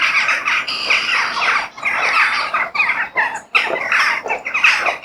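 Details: Crows call in nature with rough, hoarse squawking caws in choppy bursts, a few birds overlapping, short pauses between the loud grating phrases.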